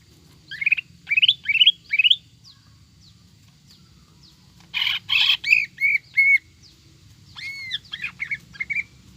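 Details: Greater green leafbird lure song, ngekek style with tengkek buto fill: four quick rising chirps, a pause, harsh rattling bursts running into clear whistled notes, then arched calls.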